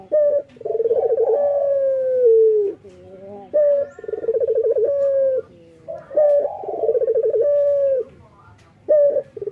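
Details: Morning song of a vocal male local Barbary dove: repeated phrases of a rapid rolling burr followed by a long, smooth, slightly falling coo, about every three seconds, with faint background chirps.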